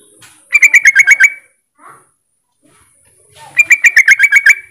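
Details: Yellow-vented bulbul calling against rivals to provoke other bulbuls into calling: two rapid bubbling chatters of about eight clear notes each, separated by a two-second pause with a soft faint note between.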